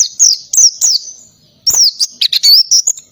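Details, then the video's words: Oriental white-eye singing in the 'ngalas' style with canary-like bursts, very loud and busy: high thin whistled notes that slide downward, in short bursts. A few sparse notes come first, then a dense chattering run after a brief pause. "PLECI NGALAS,TEMBAKAN KENARI SUPER RIBUT"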